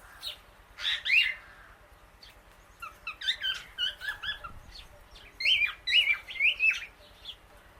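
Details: A female Indian ringneck (rose-ringed) parakeet, outdoors eating grass among many birds, gives sharp, squeaky chirps in three short bursts, the last a run of four rising-and-falling screechy notes; otherwise quiet.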